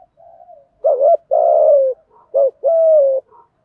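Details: Spotted doves, male and female, cooing to stimulate trainee birds to coo. Each phrase is a short wavering note followed by a longer, steady, slightly falling coo, given twice in quick succession. Faint softer notes sit between the phrases.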